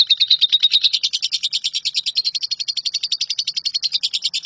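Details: Lovebird in 'nyambung kuntilanak' style, a long connected song used to tutor shrikes: dense, high, scratchy chattering notes tumbling quickly and a little unevenly, steady without pause throughout.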